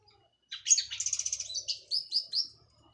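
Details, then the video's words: Cililin local orange-headed thrush after its molt, teler song: a rapid stuttering trill of high notes followed by three evenly spaced whistled chirps. "KICAU ANIS MERAH PLONG + TELER LOKAL CILILIN"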